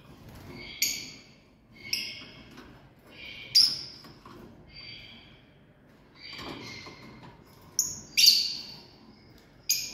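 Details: Shrill, sharp chirps from a family of lovebirds, spaced irregularly every second or two, some short and clipped, others slightly drawn out and screechy.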